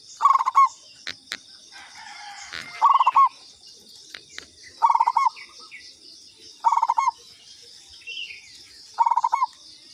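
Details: Lure call of a local zebra dove of katuranggan type: five brief bursts of rapid bubbling coos, each closing in a drawn-out note, with clicks, faint chirps and a steady high hiss between.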